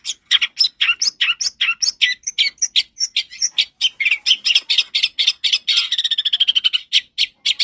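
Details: Loud, clear long-tailed shrike song used as a lure for training young birds: a fast, continuous stream of scratchy, chattering notes mixed with short whistles, speeding into a rapid trill near the end.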